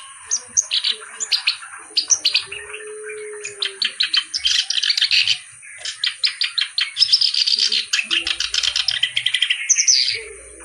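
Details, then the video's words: Reed warbler (kerak basi) in lively, continuous song: bursts of harsh, chattering, buzzy notes repeated rapidly in quick runs, with brief pauses between phrases and a steady low tone beneath. "BURUNG KERAK BASI GACOR CENGKOK LAGUNYA OK"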